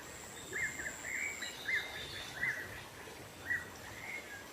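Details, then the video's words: Black-naped monarch in the wild, used as a lure for wild birds: short chirped notes, about one per second, over a steady high insect-like whine and soft natural background noise. "Suara pikat burung keci dialam liar"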